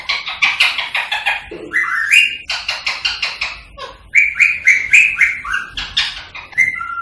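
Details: Rose-ringed parakeet voice meant to encourage singing and mating: fast run of sharp clicks, about four a second, broken by shrill rising whistled squawks, indoors.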